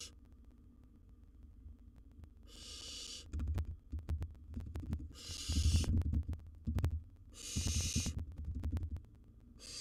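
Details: Young wild barn owl in a nest box tackling a gerbil it holds as prey; three rasping, airy hiss bursts spaced a few seconds apart, between them heavy low rustling, thumping and tearing noises from the struggle with the prey.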